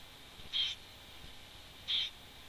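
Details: Nest webcam recording of a wood warbler, 11 June 2011. Two brief, high, plaintive notes sound about one and a half seconds apart against quiet, even background noise.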